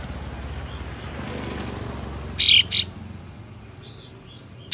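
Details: White-shouldered triller uttering spicy, rough bursts intended to provoke other trillers into opening their tails; after a stretch of low rumbling background, a scratchy double rasp, soft whistles, then another harsh burst at the end.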